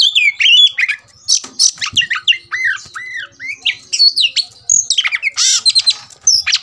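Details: Agitated Oriental magpie-robin, roused to fight, pours out a fast medley of clear whistles, down-slurred arches and rasping harsh notes, with brief pauses between phrases.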